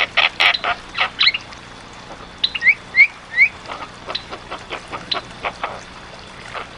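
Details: Javan myna singing energetically in a tutor recording: harsh chattering bursts interspersed with short rising whistled notes, delivered in irregular runs with brief pauses.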